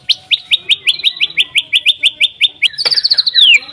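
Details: White-rumped shama song played to get other shamas singing: about fifteen sharp upswept notes repeated evenly several times a second, then a quick higher trill ending in a long falling whistle.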